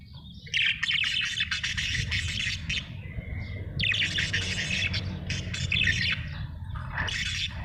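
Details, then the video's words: Happy budgie chattering almost nonstop: long bursts of scratchy, buzzy warbling with quick clicks, a brief quieter whistle between bouts, and a noticeable low rumble in the background. "Happy budgie chirping sound"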